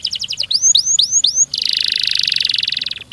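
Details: Canary in full vigorous song with a fast, dense rolling style, played to spur other canaries: quick chopped notes, four sweeping rising whistles, then a long buzzy roll with fine rapid pulses, ending on a rising note.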